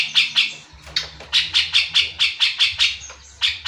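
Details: Grey-cheeked bulbul, called cucak jenggot, singing in bursts: a few harsh notes, a brief gap, then a quick chattering run of about nine buzzy notes and a final pair after another pause.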